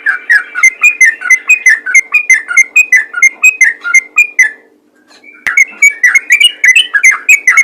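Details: Yellow-vented bulbul giving a 'ropel ngalas' style call used to draw other bulbuls: quick bubbly, warbled notes tumbling up and down, delivered in a steady stream, breaking off briefly near the middle before resuming just as fast.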